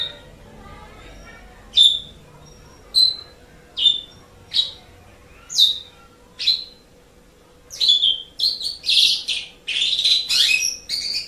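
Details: Asian pied starling song for tutoring pet birds: single sharp whistled notes spaced about a second apart, then speeding into a dense run of harsh, scratchy and whistled phrases.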